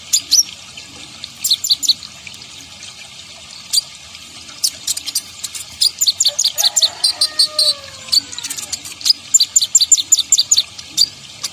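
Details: Kolibri ninja (konin) sunbird in lively song, recorded for use in luring wild birds: bursts of sharp, very high chirps repeated quickly, plus a few lower descending whistles midway through.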